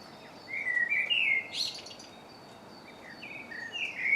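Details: Birdsong at a March dawn chorus in MK, recorded with a Canon Legria: a clear warbled phrase of sliding high notes, a pause, then shorter chirping notes, with light background hiss.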